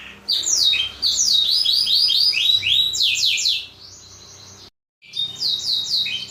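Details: Black-throated canary song as a master song for training canaries: rapid high down-slurred whistles in rolling trills, a softer buzzy segment, a brief silence, then renewed trilling.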